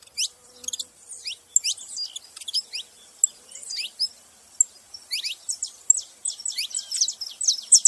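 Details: Several saffron finches making noise, with scattered high, sliding chirps early on that grow into a livelier overlapping chatter of quick descending notes toward the end.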